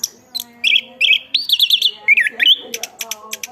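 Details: Anis kembang, the chestnut-capped thrush, in lively song: short clipped notes give way to a rolling, trilled whistle, then a quick rising slur and a string of sharp high ticks.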